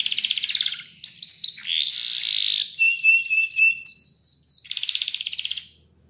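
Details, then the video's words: Training song of a Spanish Timbrado canary, clean and close: a rapid rattling roll, clipped descending notes, a long buzzy tone, steady metallic chips, high falling whistles and a final fast trill before silence. "Your Canary Will Not Stop Singing With This Training Song"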